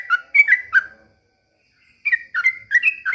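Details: Trucukan, a caged bird singing in a lively mode while imitating white-rumped shama: bursts of loud whistled, slurred notes with sharp upward-downward sweeps, a one-second pause, then another rapid run of varied whistles.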